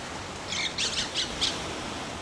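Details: Two mynas producing four short, harsh, grating squawks in quick succession over faint outdoor background hiss.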